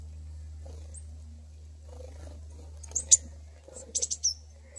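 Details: Coal tits (Periparus ater) at Abernethy in November 2019 give a few thin, very high, sharp notes in short bursts near the end, over a steady low hum.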